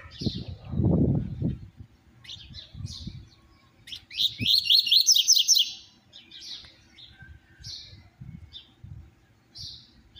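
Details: Double-collared seedeater, described as very fired up, singing the "tui tui zero zero" song type: high, sweet chirps, a rapid burst of tumbling twittered notes, then scattered single chirps, with a low thump at the start.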